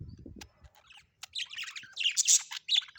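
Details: Home-kept budgies in a fast jumble of scratchy, buzzy warbles and shrill squeaks, starting after a few low bumps and building toward the end.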